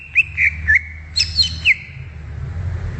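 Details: Greater green leafbird singing in its natural habitat: a few twisting whistled notes and higher chirps, followed by fading quiet and low background rumble.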